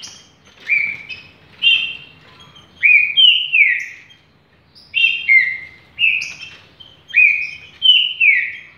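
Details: Champion green-winged saltator, its song praised for vigour and speed, repeating short clear whistled phrases about once per second, each a bright falling slur with a rising tail, in a steady series with a brief pause midway.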